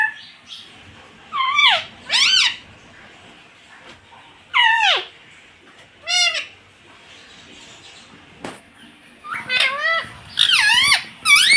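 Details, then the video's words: Mimicking rose-ringed parakeet, a pet, repeating "mummy" and "papa" in paired, swooping, voice-like syllables, several in quick succession toward the end, with soft room noise. "मम्मी - पापा बोलने वाला मिट्टू"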